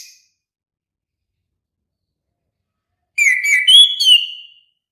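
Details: Orange-headed thrush singing a single clear whistled phrase of about a second and a half, sliding notes with bright overtones, after a long silence; no other sounds.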